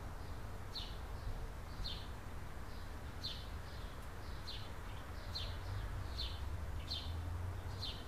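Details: California scrub jays raising three chicks at a nest in a tree in 2017; a series of short, harsh, downward-slurred calls repeated roughly every half to one second, with constant low-pitched background rumble.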